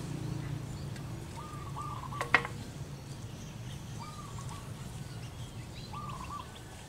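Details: Local female zebra dove singing in manggung style to call its mate: short stuttering coo pairs repeated at intervals of about two seconds, with a sharp click early on, low steady rumble and faint high chirps.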